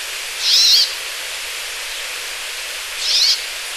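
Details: Two drawn-out nasal, buzzy calls from a Brambling, roughly two and a half seconds apart, each slightly wavering in pitch, against constant background hiss.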